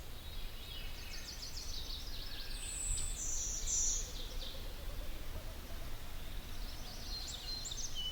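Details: Golden-winged Warbler on breeding territory gives a high, thin buzzy song over faint chirps and a low wind rumble. Sax-Zim Bog, hazy morning after fog, 24 May 2020, in low willow-alder shrubs with scattered aspen and tamarack.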